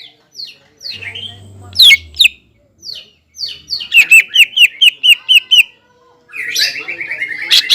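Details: Caged greater green leafbird singing to provoke a rival leafbird: spaced slurred whistles, then a fast regular series of about ten loud sharp chip-whistles, followed by buzzy warbling.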